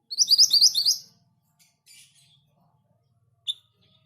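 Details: Orange minivet in lively song: a one-second burst of rapid, high, sharp chirps, tightly repeated, followed by faint scattered notes and a single short high note near the end.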